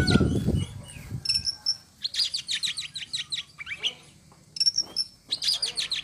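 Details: An Oriental magpie-robin sings actively. It opens behind a low rumbling noise, then gives rapid runs of high chirps and whistled notes in quick clusters, with brief pauses between phrases.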